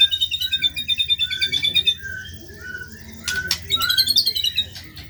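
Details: White-rumped shama singing energetically, rough-style training material: a quick bubbling trill of repeated notes, a thin sustained high tone, then a burst of sharp clicks and chattering mixed notes.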